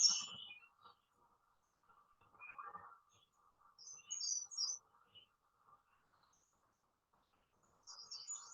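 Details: American redstart in a forest threatened by development gives short bursts of very high, thin notes, one phrase sliding downward, repeated after pauses over a low steady traffic hum.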